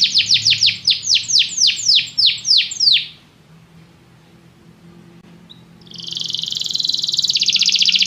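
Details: A canary sings as training to get other canaries singing. A run of about a dozen loud descending whistled sweeps is followed by a short pause, then a fast, buzzy, high trill.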